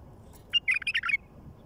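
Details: Wild bulbul in nature gives a quick burst of five or six bright, bubbly whistled notes lasting about half a second, over a faint low background hum.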